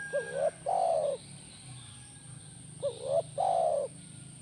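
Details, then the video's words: Mellow cooing of a spotted dove (tekukur), played to get a kept dove answering: a short hooked coo then a longer even coo, the pair heard twice about three seconds apart over a low hum. "Pasti Nyaut Burung Tekukur Anda Dengan Terapi SUARA BURUNG TEKUKUR INI"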